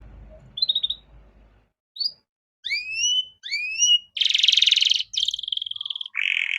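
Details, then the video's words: Canary in full song, used as a master recording for tutoring learning songbirds in the luxurious cengkok mewah style. Faint low rumble, then short whistled notes, rising upward sweeps, a loud buzzy rattle and a lower buzzy burst. "Masteran Kenari Gacor Cengkok Mewah Mudah Masuk untuk Burung Bahan"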